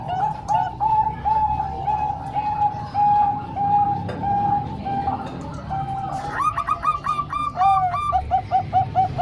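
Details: Bangkok and local zebra doves singing as a training recording for young birds: an even string of clear coos, then livelier overlapping bursts of higher, harmonically rich notes and a final quick series.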